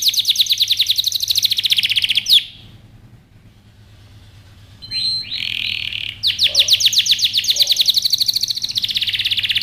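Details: Canary song for training young birds: fast trills, a pause of near silence lasting about three seconds, a buzzy rising phrase, then rapid rolling trills resume.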